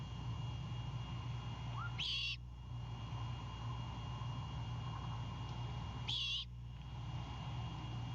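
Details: Great horned owl owlet with prey delivered by its father, Savannah nest cam, 21:36 on 26 March 2022. Two harsh, airy bursts roughly four seconds apart, a brief rising whistle just before the first, steady low hum throughout.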